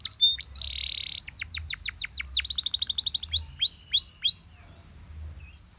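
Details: In the morning a Belgian canary sings a loud buzzy held note, then trills of steep descending sweeps, a rapid rattling series, and several separate rising whistles before falling quiet.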